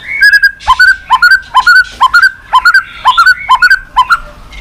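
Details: White-rumped shama, noted for calling its clicking note continuously, here giving loud, steady paired notes with a sharp upper click, repeated more than twice a second throughout.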